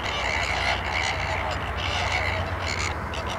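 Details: Flamingo flock on the salt lake at Larnaca, Cyprus: dense overlapping goose-like honks and murmuring calls run without pause, set against a constant low rumble of wind.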